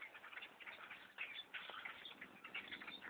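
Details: Vast blackbird flock taking over a tree stand during a bow hunt, dense overlapping chattering calls with a few sharp whistled notes standing out.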